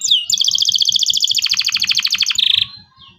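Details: Song of a local canary used as a lure for young canaries learning to sing: a quick falling note, then a long rapid pulsed trill with deep vertical strokes, ending in a short buzzy burst.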